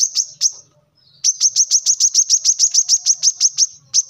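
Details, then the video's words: Brown-throated sunbird, or wiceh, singing: two high chips, a short gap, then a fast, regular trill of piercing high notes lasting nearly three seconds. "kolibri kelapa | manggar | wiceh | korlap gacor"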